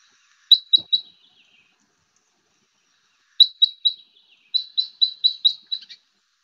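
Red Crossbill Type 10 flight calls: thin, high, upward-sweeping notes, three together, then a run of about nine in quick succession.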